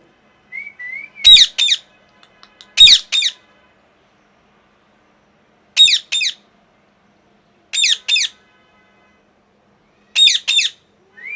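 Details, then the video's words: Pet parrot screaming angrily. Harsh, grating screeches come in pairs every two to three seconds. A soft wavering whistle opens the sequence and another ends it. "Loud Parrot Noise #2"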